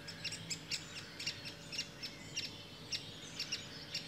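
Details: Great spotted woodpecker adult with young; bright sharp calls given in pairs and triplets about every half second, over a low constant hum.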